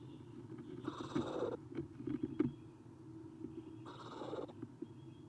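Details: Eastern screech owl owlets at a camera-watched nest, morning of 30 April 2016, three young looking outside as another leaves; two harsh, breathy hissing bursts about three seconds apart, with soft scratchy knocks between them and a steady low hum.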